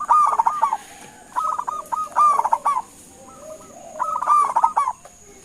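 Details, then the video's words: Local zebra dove giving a calling phrase meant to get other doves answering: loud opening burst of bubbling coos, several choppy note strings, then another strong rolling phrase near the end. "Suara Panggilan Perkutut LOKAL Gacor sekali dengar langsung NYAUTIN"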